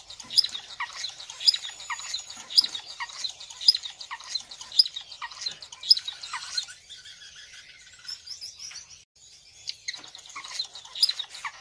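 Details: Star finch (Neochmia ruficauda) giving high, thin chirps about once a second, with softer twittering and rustling between; a brief quieter gap midway.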